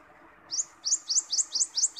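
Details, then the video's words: A wild common iora, recorded for use as a tutor and lure sound, sings a quick run of six high, bright chirps, about four or five per second, over a soft background hiss. "Burung Cipoh Liar Suara"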